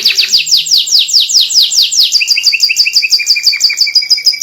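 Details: White canary singing as a master recording meant to prompt young canaries to imitate: a fast series of sweeping, descending trilled notes, then a run of brighter, evenly repeated chirping syllables. Delivered loud and continuous with no other sounds.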